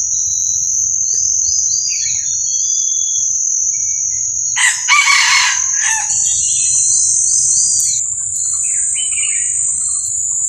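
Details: Red junglefowl crowing: one harsh, broadband crow lasting about a second and a half midway through, over a steady high insect drone with scattered thin bird chirps before and after.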